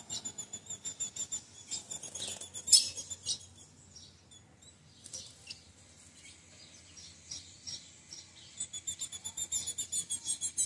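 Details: Female ultramarine grosbeak calling, a sound used to stimulate a male; sharp, high chips repeated in quick runs, a louder burst near the start, a quieter gap midway, then steady rapid chipping again.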